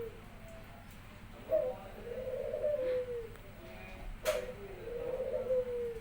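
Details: Domestic Barbary dove singing at home when its owner arrives back from work. It gives a quick rising pip, then a long, rolling low coo, twice. A sharp click is heard between the coos.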